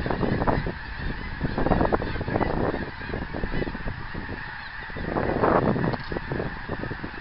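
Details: Geese calling while flying, 24 January 2010, honk after honk in irregular clusters, with a louder burst near the end against a steady hiss.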